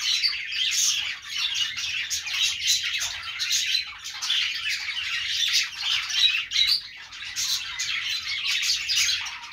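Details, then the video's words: A crowd of budgerigars keeps up nonstop twittering, with scratchy chirps and squawks tumbling over each other in a dense, high-pitched chorus. "budgies sounds | parakeet chirping sounds"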